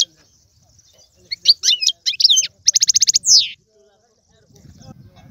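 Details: European goldfinch singing in tiwawati, galoubi and serfati styles: a quick burst of high twittering notes, then a rapid even trill and a sweeping descending buzz, followed by quiet.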